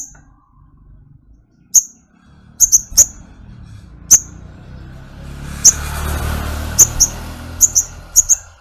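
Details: High, sharp ticking notes from a pet flowerpecker, single and paired, while a broad hiss of background noise rises midway and continues under the later ticks.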